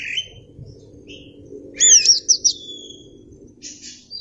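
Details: Kacer (white-rumped shama) singing, performing with tail spread: a few clear whistled notes, then a loud burst of rapid, twisting high phrases, with a low steady hum underneath.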